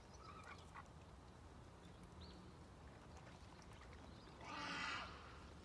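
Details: Domestic duck: a few thin, faint notes early on, then one loud, raspy, broad quack lasting about half a second near the end, set against a constant low-pitched background rumble.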